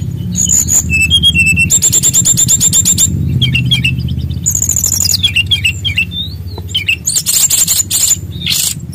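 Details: Loud rolling song of a Bali-type brown-chested jungle flycatcher, full of varied phrases: short whistles, a long high rattling trill, then sliding whistled notes and buzzy bursts, over a steady low hum.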